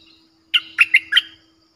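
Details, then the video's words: Fierce-sounding Streak-eared bulbul song used to lure wild birds: four quick bubbly chirped notes in under a second, with a faint steady low hum underneath. "เสียงนกดอกแตงEp.98เสียงดุดัน เปิดต่อนกป่าตัวดุๆ"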